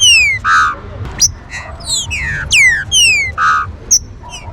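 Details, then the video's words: Warm-up song of a green-winged saltator, or trinca-ferro: dense run of bright whistles, long descending slides mixed with short buzzy bursts and quick upward flicks, closely packed over a constant low droning background. "CHUVA ESTE CANTO VAI ESQUENTAR SEU TRINCA-FERRO"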